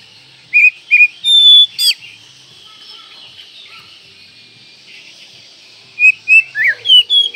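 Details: Oriental magpie-robin masteran song: a few sweet whistles and a sharp upslurred note at the start, a long quiet gap, then a closing run of five or six varied whistled notes, including a falling slur.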